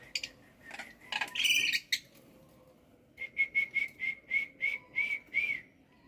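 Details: A pet black-winged myna singing lively in the morning: scratchy harsh notes first, then a steady series of about eight clear whistled notes repeated roughly every third of a second.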